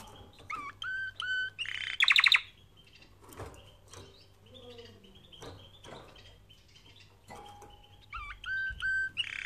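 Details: Canary song recorded for training canaries: short bursts of clear whistled notes with bright harmonics, a brief buzzy trill near two seconds, then a long quiet gap with faint background clicks before the whistled phrases return at the end.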